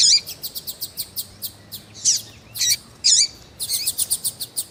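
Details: Eager female double-collared seedeater peeping to stimulate a male, with rapid rhythmic ticking runs at start and end framing several louder, harsh high chirps.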